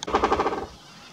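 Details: One of two woodpeckers atop a tree on a trail near a reserve in Uberlândia, Brazil, drumming a quick, even roll of about seven knocks on wood to mark territory.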